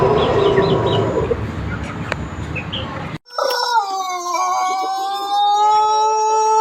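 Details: Pelung chicken from Cianjur, West Java, Indonesia, known for its long melodious crow; a noisy crowing passage gives way after an abrupt cut to a clean, sustained, level harmonic crow that steps down slightly and holds steady.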